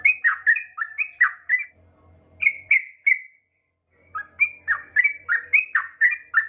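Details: Female trucukan, the yellow-vented bulbul, calling to a male: two runs of rapid, bouncing whistled notes separated by a short quiet gap, with a low hum in the background.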